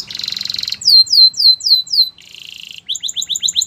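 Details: Canary singing for training canaries: a buzzy rolling trill, five loud descending whistled sweeps, a softer buzzing roll, then a quick run of short sharp chirps.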